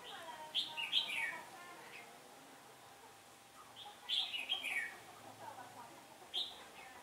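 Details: Decoy red-whiskered bulbul singing to lure wild bulbuls into a trap on a windy-turning day, 15 October 2017: short bright warbled bursts, falling slightly, given in three bouts a few seconds apart, with quiet gaps and faint hiss between.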